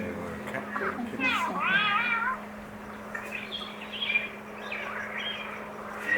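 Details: Palm cockatoo (Australian subspecies) gives short, rising-and-falling two-note whistles said to sound like 'hello', with a man's voice and steady electrical hum; a male was at the nest, in open-topped tropical rainforest trees.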